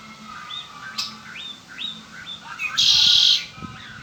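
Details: Song of a pet Red-winged blackbird: a run of short rising whistled chirps, then a loud harsh buzzing trill held for roughly half a second near the end, over low steady room hum.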